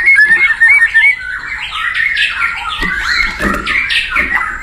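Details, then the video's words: Wild white-rumped shama singing actively in its natural habitat: a run of short whistled notes, then a blurred, echoing stretch of overlapping warbled phrases with a few low thumps. "SUARA UNIT MURAI BATU GACOR DI ALAM LIAR"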